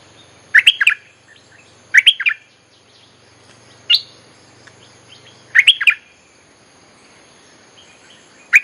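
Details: Bulbul lure song for calling wild birds: short bubbly phrases of three or four chirped notes repeated every one to three seconds, with single notes between and a faint low hum.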